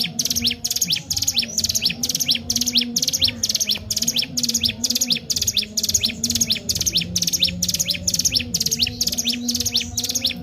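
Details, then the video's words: Sustained lively song of a Sunda warbler, meant to stir other birds to sing: a continuous series of thin high chirps and rising sweeps, roughly two phrases per second, with faint low-pitched background hum. "cigun gacor tak main2× sangat cocok buat pancing 3m05i burung anda"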